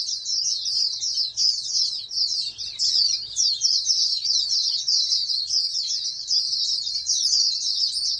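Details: Oriental white-eye from a breeder's stock of future national champions pours out a dense, sustained high-pitched twitter of fast slurred chirps, steady in strength throughout, over a faint low hum.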